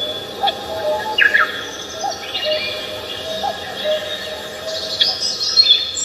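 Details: Birds singing on Namsan Mountain in Seoul: scattered high chirps and short trills from several birds over a steady background hum, with a few lower whistled notes.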